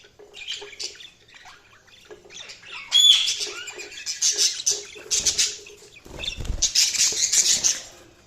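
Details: Budgies chirping: a scatter of light chirps, then a sharp rising whistle and long runs of rapid, buzzy high chatter, with a pause between bursts.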